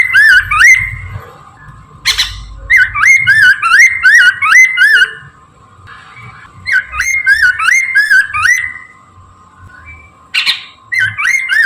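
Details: Singing Chinese hwamei, morning, used for luring: repeated phrases of bright looping whistles, each note rising then dropping, delivered in fast runs between short harsh bursts, against a steady hum.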